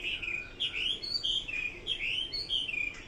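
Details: Chinese hwamei producing bright whistled notes in pairs, a short high note followed by a falling slur, repeated evenly several times.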